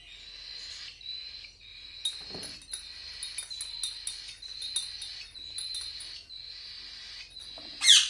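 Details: Hand-fed cockatiel chicks give a continuous thin, high buzzing hum, broken by quick clicky ticks and small jumps in pitch, ending in a loud rustle.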